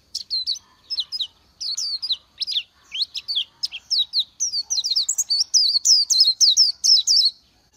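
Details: Oriental white-eye singing a long, lively run of high, sweet, wavering chirps that speed up into a dense twittering stream toward the end, with no other sounds.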